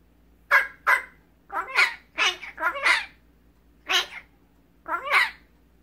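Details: Young magpie raised by people after being found as a chick, talking and copying its keepers: clusters of rough, wheezy syllables in quick doubled and tripled groups, with brief pauses between phrases.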